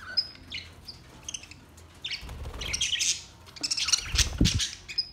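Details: Colourful budgerigars at play, recorded June 14, 2023: quick high chirps and whistled notes build into dense, fast chattering warbles, with a few low thumps beneath.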